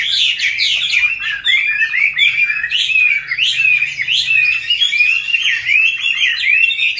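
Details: Caged Chinese hwamei, wild-caught and kept for five years, sings lively, fast whistled phrases with swooping and chattering notes repeated over and over.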